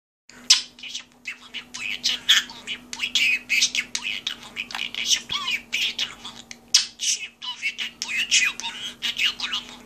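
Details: Parrot talking in an office: a steady stream of rapid, chattering speech-like syllables and scratchy squeaks with brief pauses, over a constant low electrical hum.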